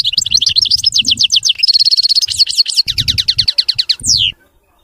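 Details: Clean, mistake-free song of a European goldfinch: a continuous stream of high, fast twittering, rolling trills and repeated sweeping notes, ending with a downward-slurred buzz, with faint low thuds beneath.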